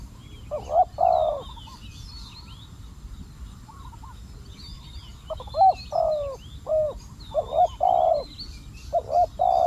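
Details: Decoy spotted dove calling during a hunt for wild doves: a pair of mellow coos early on, then a quick burst of several soft coo phrases in the second half. Small birds twitter faintly above.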